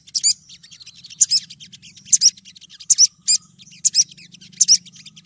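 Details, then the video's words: Female olive-backed sunbird (sogon, Cinnyris jugularis) calling to attract a male, used as a lure sound: very high, sharp chipping notes, often in quick pairs, repeated roughly every second over a faint low hum. "Sogon betina gacor memanggil jantan"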